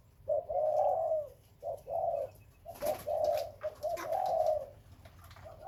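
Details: Breeding spotted dove cooing: mellow, low hooting notes grouped in short runs, a longer drawn coo at the start and again near the end, with brief rustling and clicking noises midway.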